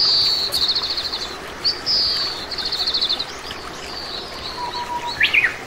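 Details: Oriental greenfinch, a common Korean resident, giving repeated high whistles that drop into fast buzzy rattles, several in quick succession, then a low steady whistle and a sharp chirp near the end, over rushing background noise.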